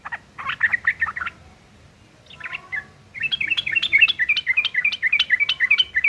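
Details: Yellow-vented bulbul giving a rough fighting song as a lure for other bulbuls to answer: a chattering burst, a quiet spell with softer notes, then a fast, even series of sharp chirps, roughly three to four per second.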